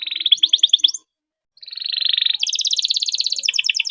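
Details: Canary in a long, lively song meant to prompt silent canaries to sing: a fast run of buzzy trilled notes, a short pause, then a dense rolling trill that breaks into quick chopped pulses.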